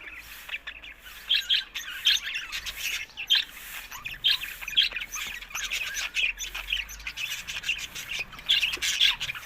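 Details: Several budgies chatter in a busy flock, rapid scratchy chirps and squawks in uneven bursts roughly every second, overlapping voices filling the whole stretch.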